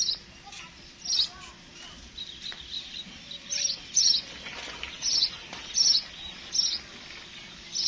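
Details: Sparrow chirping: short, bright, high chirps given in loose bursts roughly every half second to second, some doubled, over a faint steady background hum.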